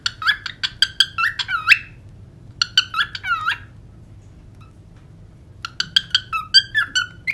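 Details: Pet cockatiels whistling and singing indoors: bursts of sharp whistled notes, several with rising and falling sweeps, in three phrases separated by short pauses, repeated quickly about four to six times a second within each phrase.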